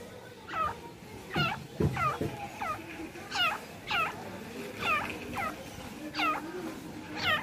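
A francolin gives a run of short, harsh, nasal notes, each wavering up and down, repeated about every half second. Low rumbling noise runs underneath.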